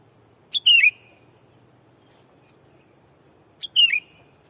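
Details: Sooty-headed bulbul kept as a decoy, calling to challenge a rival and lure wild bulbuls; two short liquid phrases, each a quick pip then a warbled downward slur, about three seconds apart.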